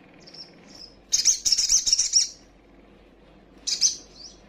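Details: Young female little spiderhunter calling as a lure to provoke rival birds: two short high thin notes, then a one-second burst of rapid sharp chirps, and a shorter chirping burst near the end, over faint low background hum.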